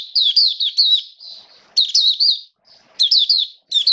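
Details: Caged Oriental white-eye (Mata Puteh) in open song, 29 September 2022: clear high slurred whistles tumbling in quick three- to four-note runs, with short pauses and light rustling between bursts.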